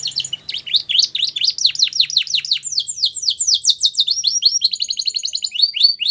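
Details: Canary song used in training young canaries: long sequence of fast downslurred whistled notes, accelerating and then switching to quicker rising chirps, strong and continuous.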